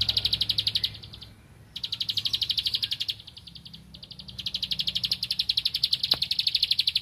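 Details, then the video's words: Insistent song of a Bar-winged prinia looking for a rival: three long runs of fast, bright, clicking notes separated by short gaps, each run steady and loud, the last the longest. "Ciblek Padi Cari Lawan Gacor Temabakan Ngempel"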